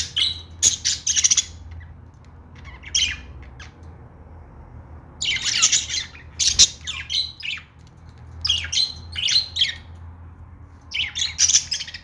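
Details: Pet budgerigar calls: harsh, squawky chirps in short clusters, separated by quiet gaps of one to two seconds, some bursts dense and scratchy, against a constant low electrical hum.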